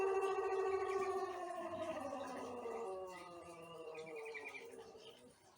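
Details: Pelung cockerel a month into learning to crow, morning, crop empty, fed bran; the drawn-out crow slides gradually lower and softer over five seconds, a faint higher note appearing near the end.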